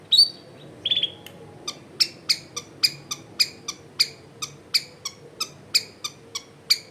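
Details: Long-tailed shrike lure song recorded at a house in a crowded neighbourhood: a couple of whistled notes, then a steady train of short, sharp ticking notes about three per second.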